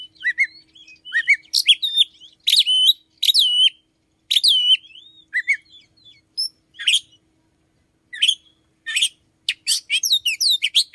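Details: Oriental magpie-robin singing early, around 5 a.m.: loud varied phrases of sharp chirps and ringing downslurred whistles, repeated with short gaps, ending in a fast burst of notes.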